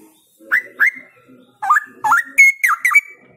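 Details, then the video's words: Straw-headed bulbul singing vigorously: a quick run of loud, rich, liquid whistles, some notes dipping and rising sharply, delivered in two clusters after a short pause, over a faint low murmur. "Gacor!! Cucak Rowo Gacor ini Bikin Cepat Cucak Rowo Lainnya Ngeplong"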